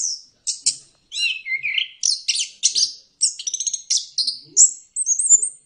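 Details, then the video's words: Lure song of the orange-headed thrush meant to prompt silent birds: quick bursts of high, thin whistled and rattling notes, some in fast stuttered series, with short gaps between phrases. "Pancingan anis kembang biar ngeplong, solusi burung malas bunyi"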